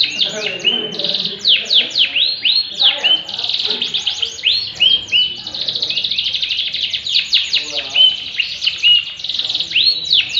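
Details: Yellow canary in full, continuous song, rattling rapid trills alternating with sweeping whistled phrases and occasional steady pure notes, with no pauses.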